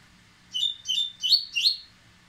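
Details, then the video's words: Four ringing whistled notes in a steady series, each about a third of a second apart, from an excited Dubois's seedeater getting ready to sing, with faint low hum underneath. "Coleiro Baiano Ardesiaca, impetuoso, aprontando!!!!!"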